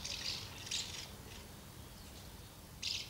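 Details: Common house martins at two nests, feeding young, recorded 24 August 2012. Two quick buzzy chirrups open the recording, a pause follows, then one more chirp at the end, with quiet background.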